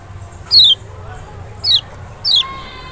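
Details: Lemon-bellied white-eye (Zosterops chloris maxi, Lombok or Sumbawa), song meant to draw a reply from a reluctant bird: three loud, high, steeply falling whistled notes about a second apart over low background noise.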